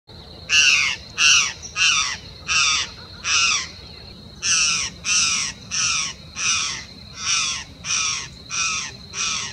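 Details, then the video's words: Laughing falcon (acauã) near a bike trail at Posto Laranjeiras, Uberlândia, Minas Gerais, Brazil: a series of harsh, broad, raspy notes, about a dozen in a steady rhythm with a brief pause midway, over a constant high thin whine. "O canto sinistro de mau agouro do acauã."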